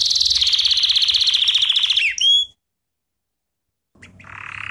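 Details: Training-lesson canary song with a fast high rolling trill for two seconds ending in a few bright upswept whistles, a silent pause, then a soft buzzy trill resuming.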